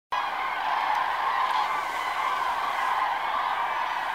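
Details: Common cranes at daybreak, preening their feathers: a dense, continuous chorus of many trumpeting, rolling calls blending into a steady wall of sound with no pauses.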